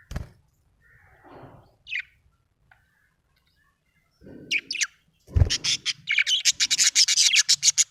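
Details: Budgerigar in a happy mood, a few soft chirps at first, then a fast run of rapid, evenly repeated scratchy chirps building to the end.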